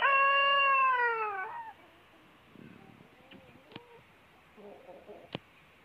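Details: Drawn-out end of a crow from a huge rooster that would not stop: a steady loud note sliding gently downward before fading, followed by faint clicks and low background sounds.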